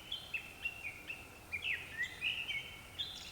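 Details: Japanese thrush heard at dusk: a lively string of whistled notes, about three or four a second, some bending downward and others rising, loud and clear against quiet background noise.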